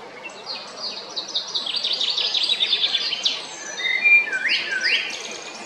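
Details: Male Eurasian blackbird singing at Jarun in Zagreb, Croatia, on 22 April 2021: rapid high twittering trills with clear whistled notes, then a loud swooping phrase that dips and rises near the end.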